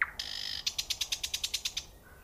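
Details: Short nightingale phrase: a rising note, a buzzing churr, then about ten sharp pulsed notes delivered rapidly and evenly before fading.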